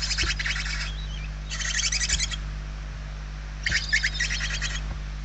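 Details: Three separate raspy bursts from barn owl chicks begging in their nest in Spain, November 2023, each roughly a second long and pulsing rapidly, with soft thuds from movement in the nest.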